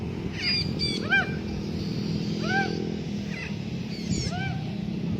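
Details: Several harsh, arched, downward-curving squawks from a blue-backed parrot in free flight, spaced about a second apart, with faint higher chirps and a low steady hum behind.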